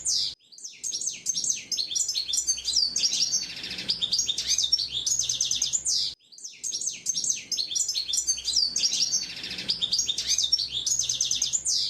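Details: Wild hooded siskin song, a rapid, bright jumble of high warbled trills and chirping notes delivered in long unbroken runs, cut by a short sudden silence before the twittering starts again.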